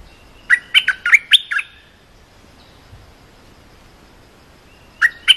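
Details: Short training song of a cream-vented bulbul for young birds: a rapid run of five bright, warbled chirps, then silence, then the phrase starting again near the end.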